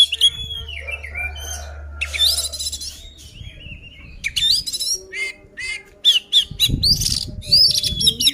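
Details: Fighting song of an oriental magpie-robin meant to anger other birds: bursts of rich whistles, squawky high chirps and quick trills, with a low rumble at the start and a rustling noise near the end.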